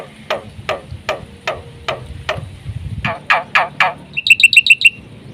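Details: Black-winged myna in lively, full-repertoire song used as a training lure for other mynas: six spaced harsh downward notes, then four louder rasping calls, ending in a quick run of five bright whistled chips.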